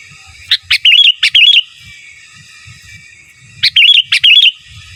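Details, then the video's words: Sooty-headed bulbul in gacor giras and menggaruda style as master song: two bursts of clicks and rapid wavering whistles, each with several looping notes, about three seconds apart, faint low noise underneath. "Suara Burung Kutilang Gacor Giras dan Menggaruda Cocok Untuk Masteran"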